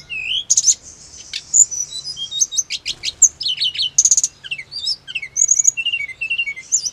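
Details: Hill blue flycatcher song used to provoke caged birds into quick, agitated replies: high thin whistles and sharp rapid trills pour out almost without break, mixing down-slurred notes with short buzzy bursts.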